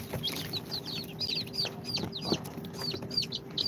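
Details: Newly hatched chicks of Sultan, Golden Sebright, Cochin and booted breeds, two days out of the incubator, giving a dense chorus of high, downward-sliding peeps that overlap rapidly, over a low steady hum.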